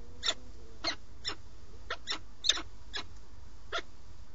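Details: Peregrine falcon from a breeding pair on a live nest webcam in Alcalá de Henares, Madrid, Spain, 8 March 2017, during the male's food visit: eight short, harsh, broadband calls at uneven intervals over steady low background hum.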